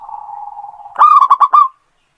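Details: Local Indonesian zebra dove singing actively, kept as a lure for other birds: a low, rolling purr lasting about a second, then five quick, bright cooing notes in a tight burst. No other sounds.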